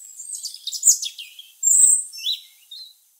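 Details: Tame European robin singing from a garden tree above people outside, November 27th 2020, recorded with a camera's built-in microphone; high, thin, rapid warbling phrases, a bright sustained high note midway, then short trailing twitters fading out.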